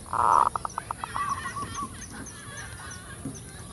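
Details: Zebra dove kerot phrase used for luring: one loud rough burst dissolving into a fast series of short pulses and brief cooing notes, then fading to background hiss.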